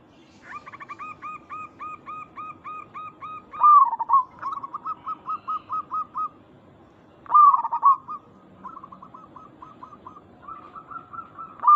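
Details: Local zebra dove call used to prompt other zebra doves to reply; long runs of crisp repeated notes with a higher echo, punctuated twice by loud, quavering, falling-rising coo bursts.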